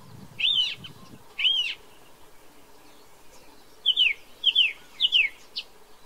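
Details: Song thrush singing in New Zealand, where it is introduced. Two matching whistled phrases come a second apart, then after a pause a rapid series of three or four repeated slurred notes, with faint low rumble at first.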